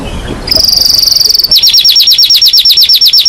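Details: Excited canary song. A soft start gives way to a dense, even, high-pitched trill, which switches midway to slower, separate, sharply rising notes repeated roughly three times a second.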